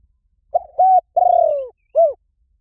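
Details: Spotted dove call used as a lure for wild doves: low, hollow coos in a phrase of two short notes, a longer drawn-out coo sliding downward, and a final short coo, all clear against silence.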